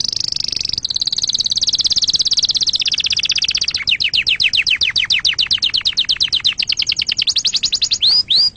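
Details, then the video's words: Canary song for teaching young canaries to sing: a long fast run of high, steady trilled notes that shifts into rapid repeated downward-sweeping whistles, ending with a few separate slurred notes. "أحسن تغريد أصلي صافي و خالي من الأخطاء لتسميع فراخ الكناري"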